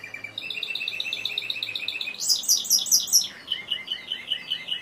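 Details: Timbrado canary song in a steady rolling series: rapid repeated notes shift upward into a high, bright run of pulses, then drop to a lower rolling trill repeated about four times per second. No other sounds stand out.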